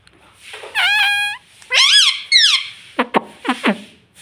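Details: Talking parrot, described as saying mummy and papa, produces three harmonic voice-like syllables, the first flat, the next two arching, then a run of short sharp clicking pops.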